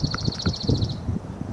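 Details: A Dark-eyed Junco singing in a tree beside a parking lot at Grassy Hollow, southern California mountains, a quick, high, even trill of about fourteen notes lasting roughly a second, over low thumping and rumbling background noise.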